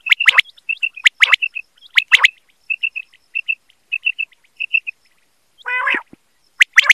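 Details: Quail calls recorded for hunting: loud doubled sharp notes open and close the sequence, with a string of soft even chirps between and one gravelly harmonic burst near the end.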